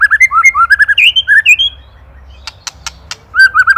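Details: White-rumped shama song from Indonesia, a master recording for songbird training: quick rolling whistled notes, a short pause broken by sharp clicks, then the bright looping whistles resume.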